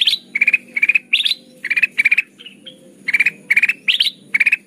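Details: Trapping lure recording of a ruby-throated bulbul (kutilang emas) in lively, chattering song: bright rattled note clusters, some rising at their start, broken by a short pause with two thin whistles before the bursts resume.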